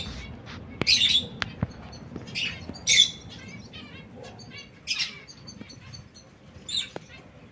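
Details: Male canaries quarrelling: a series of rasping squawks and brief chirps, the loudest around one and three seconds, then further scratchy bursts near five and seven seconds, plus a few sharp clicks.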